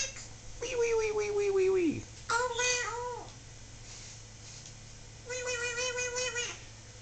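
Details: Solomon Island Eclectus parrot kept as a talking pet, voicing a long, smooth, falling tone, then a wavering nasal phrase and a later steady, rich note, all indoors with a person talking.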